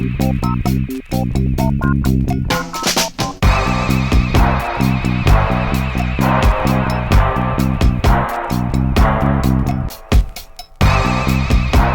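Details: Steady electronic dance music with a heavy bass beat plays throughout, and no animal sounds can be picked out.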